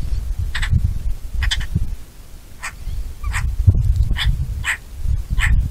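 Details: Bonelli's eagle calling with brief, sharp, rasping notes, some doubled, about seven in six seconds, over strong low-pitched wind noise.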